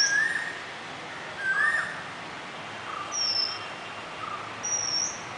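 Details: Oriental magpie-robin at a bird bath. Clear whistled notes: a low rising whistle near the start and again at 1.7 seconds, then thin, high whistles at about 3.3 and 4.9 seconds, roughly every one and a half seconds, over faint background hiss.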